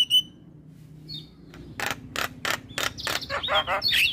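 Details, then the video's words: Bobbing male Javan myna in full voice: after a quiet start with a few thin whistles, loud rasping strokes follow at roughly half-second intervals, ending in a flurry of wavering whistled notes. "Masteran Jalak Kebo terpopuler - Jalak Kebo Jantan Super Gacor Manggut2"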